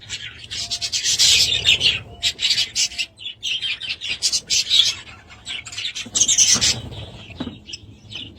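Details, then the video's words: Budgerigars warble continuously in a bright, scratchy chatter mixing buzzy rasps with quick chirps, loud and nearly unbroken throughout. "Budgies sound"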